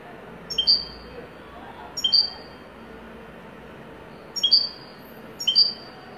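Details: Short, clear double chirps from a European goldfinch of the wedani song style, repeated four times at irregular intervals of one to two seconds over a quiet background.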